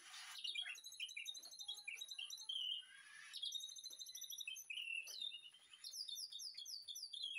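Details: White-rumped shama master song in a backyard breeding aviary during afternoon feeding: high rapid twittering and whistled notes, interrupted by a short burst of rushing noise, then more quick sparkling phrases.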